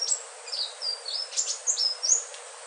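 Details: Indigo flycatcher, locally sikatan ninon, delivering a flowing run of thin high whistles, some long and level, others bending up or down, evenly spaced over soft background hiss.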